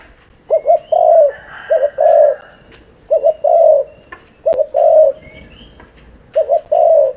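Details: Seven-month-old spotted dove cooing: repeated phrases of two short low coos followed by a longer drawn-out coo, each phrase about one and a half seconds apart, with faint background chirps and clicks.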